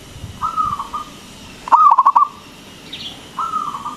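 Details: Local zebra dove, loud-voiced, used as a lure so other doves answer. Soft cooing notes frame one rapid pulsed rolling burst in the middle; a brief higher squeak follows near the end.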